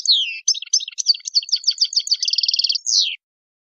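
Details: Wild European goldfinch delivering a descending slurred note, a run of chirpy twitters, a tight rapid trill, and a closing falling sweep before silence.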